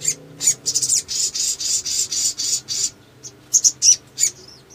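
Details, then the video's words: Male sogon in lively lure song: a long series of buzzy high rasping strokes about three per second, a short pause, then loud sharp squeaky chips and twitters. "SOGON GACOR NEMBAK PANJANG"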